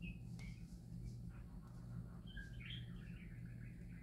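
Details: Parakeets singing happily: a few isolated chirps early, then a longer wavering, burbling warble that trails off, over a continuous low hum.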